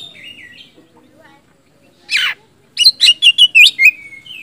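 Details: Oriental magpie-robin, a lively singer used to provoke reluctant magpie-robins into answering: a single harsh raspy burst, then a quick run of about six loud whistled, warbling notes ending in a level drawn-out whistle, faint chatter beneath.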